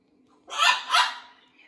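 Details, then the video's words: Blue-and-gold macaw at a rescue sanctuary, adjusting to a new flock, uttering a brief two-part raspy vocalization, two broad harsh syllables close together in a quiet room. "Inky The Blue & Gold Macaw is adapting to his new flock. Lots of parrot talking."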